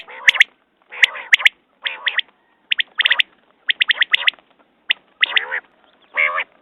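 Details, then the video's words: Quail giving a dense series of short, sharp whistled notes, often in twos and threes, interleaved with grating buzzy bursts, nearly continuous throughout. "Batair Ki Awaz New Quail sounds 2019"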